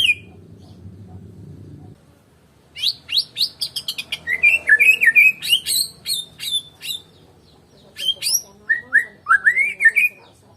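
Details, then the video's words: White-rumped shama of the Medan type singing without a rival, a quiet low hum first, then quick high ticking notes and bright warbling, wavering whistled phrases in short bursts. "KICAUAN BURUNG MURAI BATU MEDAN TANPA LAWAN"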